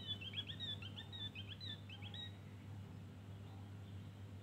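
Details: Javan grey-throated white-eye in ngeriwik song: a quick run of sharp, high chirping notes for about two seconds, then fading to faint trills, with a constant low electrical hum underneath.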